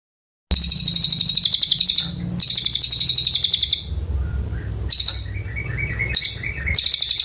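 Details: Oriental white-eye in long, energetic song for magpie-robin tutoring: repeated bursts of rapid, high, ringing chirps lasting one to two seconds each, broken by quieter thin whistled notes.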